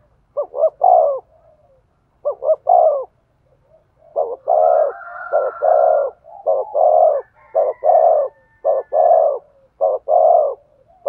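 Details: Spotted dove cooing to stimulate a male: soft low two-part phrases, a quick stuttered double note then a longer drawn-out coo, repeated about once a second, with a fainter overlapping higher-pitched coo in the middle.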